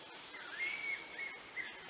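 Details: A White-rumped shama gives soft, drawn-out whistled notes that swoop up and level off, then a few short whistles, over steady hiss; recorded at Vansda National Park, Gujarat, India, in April 2018.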